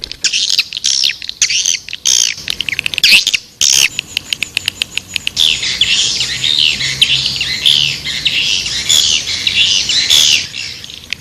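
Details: Swiftlets calling: dense high buzzy chirping and rapid clicking, overlapping and continuous, with brief gaps, sounding like many birds together.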